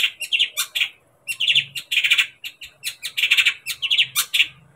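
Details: Long-tailed shrike singing, used to stir a kept shrike into agitation and song: grating, buzzy phrases of rapid chattering notes in short clusters, a pause near the one-second mark, then denser scratchy bursts.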